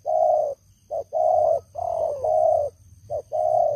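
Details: Long-used decoy spotted dove, strong-voiced, calling during trapping of wild doves. Loud, rough coos alternate long drawn notes with quick short ones in a steady rolling sequence, close and clear.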